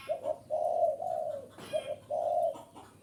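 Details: Spotted dove calling to lure wild birds: a pair of brief coos then a long, rich drawn-out coo fading downward, another short coo and long note following after a scratchy click.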